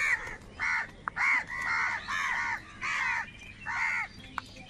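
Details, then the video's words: Crows from a big flock fighting for food, a series of about seven harsh caws spaced under a second apart, with sharp clicks between calls. "Kaka sound and Noises of Crow Birds | Huge Numbers of Crows Crowing and Crying sounds"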